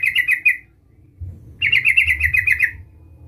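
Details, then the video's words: A Sooty-headed bulbul calling a rival, used to prompt other bulbuls to sing: a brief rapid chatter, a pause, then a longer burst of quick pulsed notes, over a faint low hum. "Suara Panggilan trucukan gacor Memanggil Lawan"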